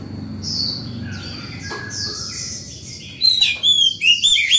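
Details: Morning White-rumped shama song, calling to other birds and coaching young birds; faint drawn-out notes, then a loud final stretch of crisp, looping whistles.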